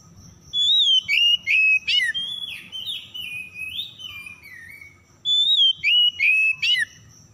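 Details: Lure song of an Oriental magpie-robin for reviving stressed birds that went quiet: clear whistled phrases with sharp upward flicks, a wandering descending run of softer notes, a pause, then the opening whistles repeated.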